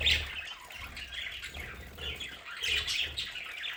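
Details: Pet budgerigars in a home play area chatter with scratchy warbles and bright chirps, loudest at the start and near the end.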